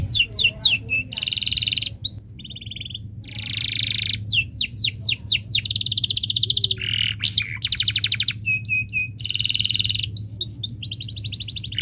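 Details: Long canary song to teach young birds: repeated blocks of buzzy rolled trills alternating with quick series of falling chirps and short whistles, sung almost without pause over a faint low hum.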